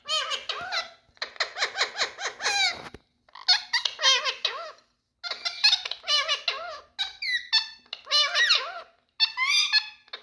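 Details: Adult male Indian talking parrots giving rapid, raspy, speech-like chatter in dense bursts of short harmonic syllables. A clear gap falls near the middle, followed by higher squeaky notes and rising-falling inflections.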